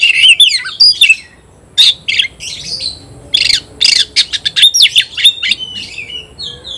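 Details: Oriental magpie-robin singing against an opponent in a contest, konslet style: whistled slurs, harsh scratchy bursts and rapid chips in uneven bursts, with short pauses between phrases.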